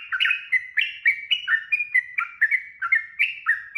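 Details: Sooty-headed bulbul singing in the rapid ropel style, used to train captive birds: clear whistled two-note phrases, each dropping then rising, repeated steadily about twice a second with no pauses.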